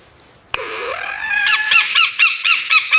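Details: Mimicking lyrebird: an abrupt loud onset, a rising strained note held briefly, followed by a brisk series of bright, pulsed honking notes repeated about twice per second, still going at the end.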